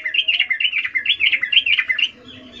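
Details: Female sooty-headed bulbul giving a ngecuplik mating call to attract the male: a continuous, bubbly string of rising and falling warbled notes, quick and slightly uneven, fading near the end.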